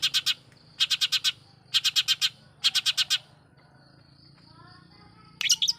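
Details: Long-tailed shrike provoking song: bursts of four or five rapid harsh clicks repeated about once a second, then a quiet pause with faint whistles.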